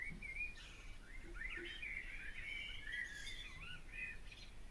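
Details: Barn swallow: a flowing, unbroken chatter of twittering, warbled notes with a few higher chirps, set against a steady low background rumble.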